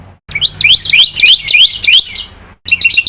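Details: Black-winged myna training song, full of varied fill-in phrases, played so other starlings respond: a run of bright, squeaky rising notes about five per second, a short pause, then the phrase starts again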